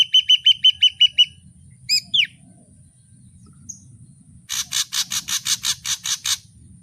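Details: Ashy drongo variations: it opens with a run of quick whistled notes, followed by a pair of sharp calls and a slurred whistle, then a pause and a fast series of about twelve harsh, scratchy notes, over a faint low rumble.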